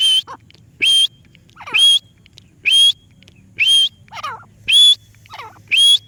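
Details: Parrot calling with loud, rising whistles about once a second, separated by quieter twisting, gurgling notes and a soft background hum.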